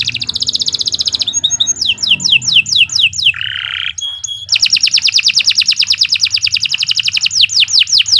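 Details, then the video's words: Continuous shrill canary singing meant as a master recording for other birds: a fast pulsing trill, falling whistled sweeps, a buzzy low roll and pure tones, then a long rapid trill and more falling whistles. "Kicau Burung Kenari II GACOR PANJANG Cocok untuk Masteran"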